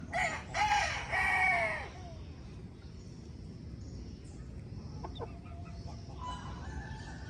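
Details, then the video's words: Rooster crowing at dawn in the countryside among foraging hens: one loud, drawn-out harmonic crow of about a second and a half with a brief break, then quieter background with faint distant chirps and a low rural hum. "GALO CANTANDO"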